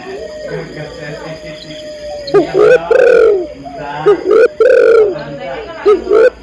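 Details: Female spotted dove calling to a male. Quiet background murmur and faint chirping at first, then loud low cooing phrases with short notes and long sliding coos from mid-clip onward.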